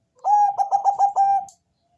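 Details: Zebra dove of the Bangkok type with a thick, deep voice, singing to lure other doves into calling: a quick stutter of five or six low cooing notes that runs into a held, even coo, then silence.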